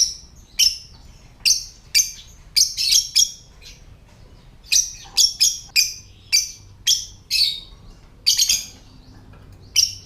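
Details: A lovebird's ngetik (typing) sound, played to stir other lovebirds into calling and mating: rapid clusters of sharp, high chirps, some in quick doubles and triples, broken by a pause of about two seconds, over light background noise.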